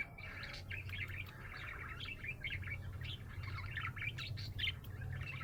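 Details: Happy pet budgerigar chirping: a continuous run of warbled, twittering notes in quick succession throughout, with a steady low hum underneath.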